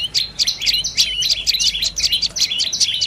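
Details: Short burst of sharp, high, rapidly repeated chips from a dark-necked tailorbird, notes flicking up and down several times a second.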